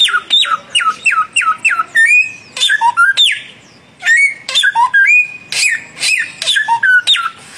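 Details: Samyong birds dueling, a young bird against a mature one, in a loud exchange of whistled notes: bursts of sharp downslurred whistles repeated in quick series, broken by rising and falling phrases and a brief pause near four seconds.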